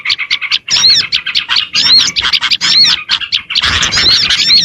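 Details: Oriental white-eye song used as a lure for small birds: busy, high twittering chirps and short whistled slurs in rapid bursts, with brief pauses between phrases.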